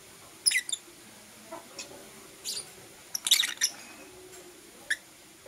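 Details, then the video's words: Blue Opaline and Parblue Euwing Opaline lovebirds in the morning give a few short, high, harsh chirps spaced about a second apart, with a brief clustered burst near the middle. "Lovebird Chirping Sounds"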